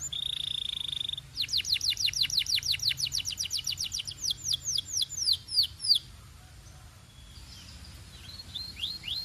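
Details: Belgian canary holding a steady whistled tone, then pouring out a long regular series of high falling sweeps that quicken toward the end before quieter scattered notes.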